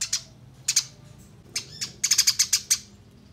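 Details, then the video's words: Eurasian tree sparrow chirping while fighting, a clear tutor recording: scattered single high chirps that build into a rapid, rhythmic string of bright, piercing notes. "Masteran Gereja Tarung Ngeroll Abis Durasi Panjang Suara Jernih"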